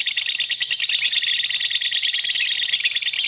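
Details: Short burst of lovebird song from a tutor recording for training birds: very rapid, harsh, high-pitched chatter, densely pulsed and unbroken.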